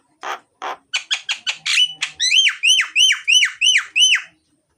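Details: Myna (jalak) delivering loud, varied song to tempt lazy mynas into singing: two harsh rasps, a quick run of clipped notes, then a steady series of about eight ringing, whistled down-slurred notes.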